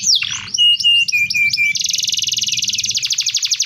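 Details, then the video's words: Canary with a dense rolling tutor song: a few swept whistles and short flat tones stepping downward, then a very fast, even, pulsing trill of about four seconds. "BURUNG KENARI ⁉️ SUAra NGEROL PADAT COCOK UNtuk Masteran"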